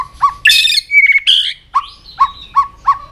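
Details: White-rumped shama training song meant to push a bird into fast, intense singing: harsh, rasping bursts and a brief whistle, followed by evenly spaced short chipping notes about every third of a second.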